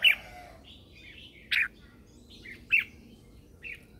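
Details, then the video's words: Red-whiskered bulbul lure bird singing in the morning: loud clipped chirps about every second, linked by softer rising and falling whistled notes over a low hiss. "Chào mào mồi hót gọi bổi"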